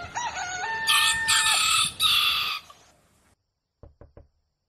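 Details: Rooster crowing at dawn: a harmonic crow with a stepped rise and level hold, overlaid by a harsh noisy burst, followed by silence and three short clicks.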